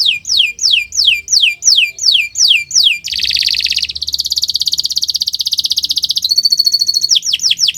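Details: Canary song for training other birds: a rapid series of high whistled notes sweeping downward, repeated about twice a second, then a long fast buzzy trill, a higher rolling trill, and more downswept whistles.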